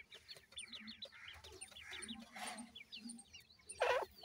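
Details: Francolin chicks being reared produce continuous soft, high, falling peeps in rapid series, over low murmuring noise and a loud, noisy burst near the end.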